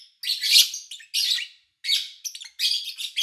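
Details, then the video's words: Lovebirds kept as pets, recorded in August 2019 in quiet conditions: harsh, rasping high chirps in irregular bursts of under a second, separated by brief silences. "Sounds of Lovebird Chirping"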